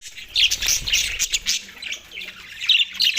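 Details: Australian budgies chirping while eating soft food, recorded 4 December 2023: bright, high twittering bursts in clusters, with soft clicks and pecking sounds between.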